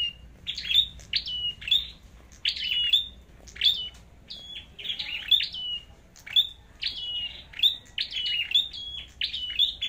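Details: Flowerpecker with a red head giving its fighting song: a fast, continuous run of sharp high chips and brief downslurred whistles, roughly two phrases each second, against a quiet background.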